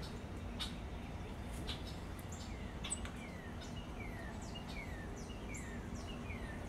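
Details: Bullock's oriole recorded February 11, 2017, giving a series of short, downslurred whistled notes about twice a second, with a few sharp chips earlier, over a steady low rumble of background noise.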